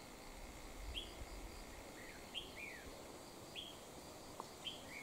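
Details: Wild red-whiskered bulbul at a trapping site with a decoy: evenly spaced short whistled notes, each sharply slurred downward, about five in five seconds, against continuous buzzing insects.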